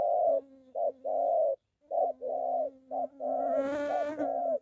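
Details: A molting decoy spotted dove being trained near home, encountering a wild bird. Repeated short-long coos run alongside a continuous low droning tone. A buzzing, harmonic-rich noise rises over the final second.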